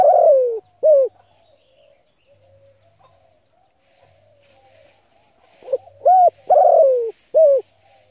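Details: Spotted dove cooing to stimulate decoy birds. The end of one phrase opens the recording, then near-silence for several seconds, then a full phrase: a soft lead-in, a rounded coo, a long rough downslurred coo and a short closing coo.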